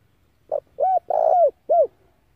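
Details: Spotted dove decoy call used to lure other doves and for daily voice training: one phrase of four hollow coos, a short note, two mid-length coos and a longer slurred middle coo, clean and close with no other sounds.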